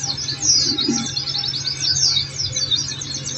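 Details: High, busy warbling of an Oriental white-eye, known as pleci, from a birdkeepers' therapy recording: tightly packed thin chirps and short trills tumbling without pause, a constant low electrical-sounding hum underneath.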